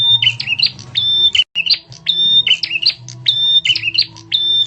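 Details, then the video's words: Loud, sharp bar-winged prinia lure call meant to make other birds react, repeated high phrases of a pure held whistle joined to buzzy chirps, roughly every second, with a constant low hum behind. "suara pikat burung prenjak tamu."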